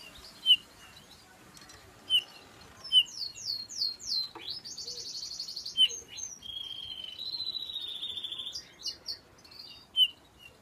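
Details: Male bullfinch, a cock bird, calling: short clear piping notes repeated at irregular intervals, mixed with a few longer buzzy and whistled phrases in the middle of the sequence.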